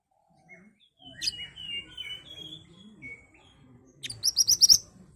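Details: Ashy tailorbird used as a lure: softer twittering and warbling from another bird at first, then a loud burst of about six quick, sharp high notes.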